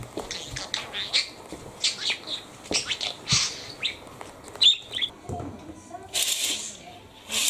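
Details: Pet lutino budgerigar kept indoors, known as a talking bird, chattering in short scattered high chirps and clicks, some buzzy bursts and a brief broad rustle near the end, in a quiet room.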